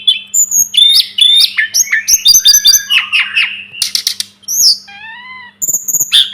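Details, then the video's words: Sunda robin song as a training recording for cage birds: loud, varied whistled phrases, quick chirping runs and buzzy trills, some notes sliding up or down, broken by short pauses, with a steady low hum beneath. "Masteran burung tledekan gunung"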